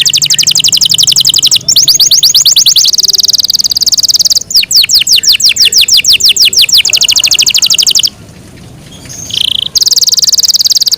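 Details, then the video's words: Yorkshire canary in long melodious song, chaining fast high rolling trills and rapid repeated chirps with short pauses, ending with a brief whistled note and another quick trill. "yorkshire canary long melodious sound"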